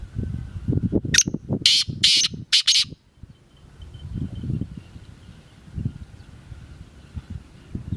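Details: Black francolin, called kala teetar, gives a harsh rasping phrase of short and longer buzzy notes ending in a quick pair, amid continuous low rumbling noise.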